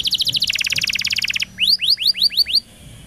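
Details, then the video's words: Caged canary used as a training recording for pet birds, singing a fast buzzy trill of repeated high notes, then a series of rising whistled sweeps repeated about every fifth of a second. "CUIT CUIT PANCINGAN Kenari Gacor Panjang !! KENARI PAUD NGERIWIK & Macet Bunyi Nyaut"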